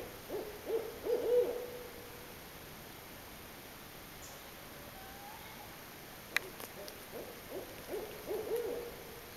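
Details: Barred owl in Swan Valley, Montana, hooting in two bursts of low, wavering, rhythmic hoots about six seconds apart, with a single sharp click between them; the owl was called in close, and male and female vocalize toward the end.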